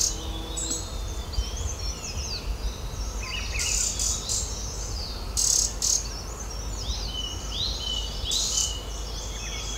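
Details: In breeding season at a sanctuary in the Uttarakhand Himalaya, a Green-backed tit feeding chicks at its nest-hole in an old oak gives thin, high chirps in quick overlapping bursts, with brief rustling flutters, over low rumble and insect-like hiss.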